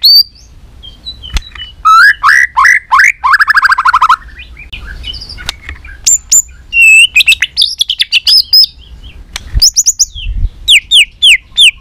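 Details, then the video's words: White-rumped shama performing a long competition fighting song: varied rapid whistled phrases, trills and chattering bursts, with repeated high slurred notes near the end. "kích lửa 3 mùa yếu lửa hót đấu lên lửa.chòe lửa nết đập xoay chớm lửa hót đấu"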